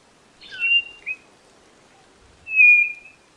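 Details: White-bellied nothura (Nothura boraquira), a ground-dwelling tinamou, gives a short, slightly wavering whistled phrase, then after a pause one long, steady, high, pure whistle; background quiet.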